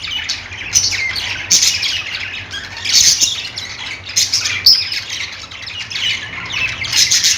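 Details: Budgerigar chatter: continuous overlapping harsh squawking and thin high twitters, swelling into loud bright bursts roughly every second, no other clear sounds.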